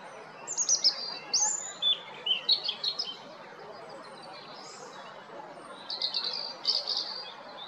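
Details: European robin song recorded 13 April 2022 at Jarun, Zagreb: a run of quick high tinkling and trilled notes, silence of a few seconds, then a shorter sparkling phrase, with soft background hum.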